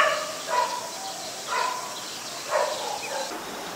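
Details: White-vented myna at Ubon Ratchathani, Thailand, in December 2020, giving three separate rasping, nasal calls roughly one second apart, each a short burst with a lower droning tail, against constant faint hiss.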